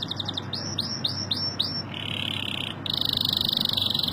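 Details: Canary (Serinus canaria) singing loud, high phrases: a quick trill, then five arching whistled notes, a steady buzzy roll and a fast rattling trill, against a faint background hum.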